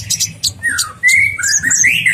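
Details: Olive-backed sunbird, masteran tutor track: a few harsh high chirps followed by drawn-out falling and rising whistles, with low music behind.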